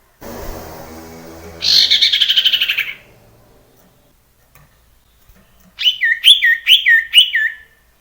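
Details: Male common iora in the wild, meant to spur other ioras into song: a rapid buzzy trill, then after a pause four or five clear whistled notes, each sweeping down, repeated quickly.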